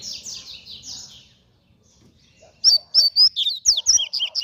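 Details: Double-collared seedeater singing fast, after a quiet start with faint high chatter: a rapid run of bright, clear whistled notes and slurred rising and falling phrases, loud and close.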